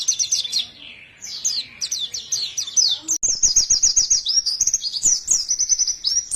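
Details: Lively high white-eye song: quick twittering phrases, then a sustained run of sharp, evenly spaced chirps mixed with faint clicking.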